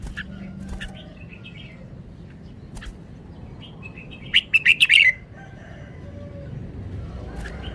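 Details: Red-whiskered bulbul singing a single rapid burst of five sharp, liquid notes midway, surrounded by scattered clicks and a steady low background hum.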